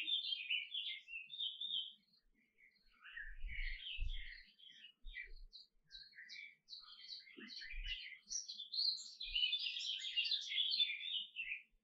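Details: Singing canary delivering fast, varied phrases of chirps and rolling trills, broken by short pauses, building into a dense bright warble near the end; occasional soft thuds nearby.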